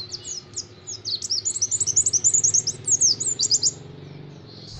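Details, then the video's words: White-eye singing in the 'nembak sejaluran' style with long 'wit wit' phrases: a fast, continuous run of high, thin, twittering whistled notes, about twenty quick slurred chirps across three seconds, over a low steady background hum. "pleci nembak sejaluran....wit wit panjang"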